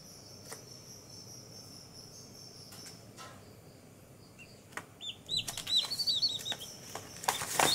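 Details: One-day-old baby chicks outdoors on green ground, chirping and falling asleep. A quiet stretch with scattered clicks gives way to a burst of rapid, high, slightly falling peeps over the last few seconds, ending in a loud broadband rustle.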